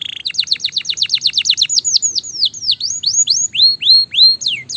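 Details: Gloster canary song used as a fighter bird's singing track: a quick run of descending chips, about four per second, slowing into longer arched whistles that rise then fall.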